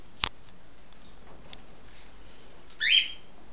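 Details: One of six pet cockatiels kept indoors in cages gives a single short, bright squawking whistle near the end, after a sharp tap and some quiet indoor room noise.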